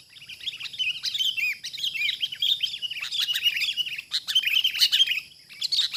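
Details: Wild sooty-headed bulbul during trapping, pouring out continuous excited chatter of quick slurred and whistled notes, dense and overlapping, with only brief gaps near the end.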